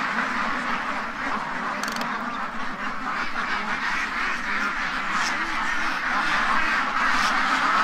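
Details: Many free-range domestic ducks in a pen in Ontario, Canada, quack together in a dense, continuous chorus after being spooked one morning; overlapping harsh nasal calls form a steady wall of sound with no clear gaps.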